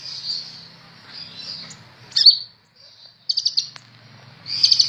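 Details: Sunbird of the 'ninja' type, recorded as a tutor for songbirds, giving thin high twitters, a sharp sliding squeak, a quick run of ticking chips, and a closing shrill trill.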